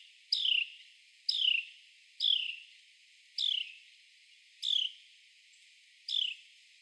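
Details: A male Carolina wren calls loudly while clinging to a tree trunk and hunting insects. Six crisp, downward-slurred chirps come about once a second against steady low background hiss.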